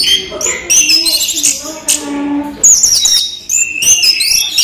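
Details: Caged orange-headed thrush in daytime song: high chattering twitters and thin whistles in clustered phrases, with lower tonal notes beneath in the first half.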